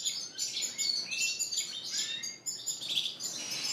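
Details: Bird-shop canaries, Spanish Timbrado and Gloster, in cages in April 2016, giving bursts of high twittering song and short trills separated by brief gaps, several birds overlapping.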